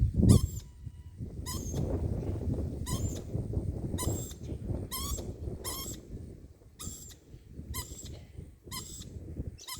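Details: Short, rasping, screech-like lorikeet calls repeat roughly every second, about eight in a row, over heavy low-pitched rumbling noise such as wind or handling.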